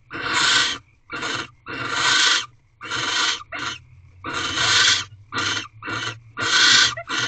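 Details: Mating barn owls inside a nest box at 5:40 am, 7 March 2023, the eighteenth night: rasping, noisy hiss-screeches repeated roughly every second, some long and some clipped short, over a constant low electrical hum.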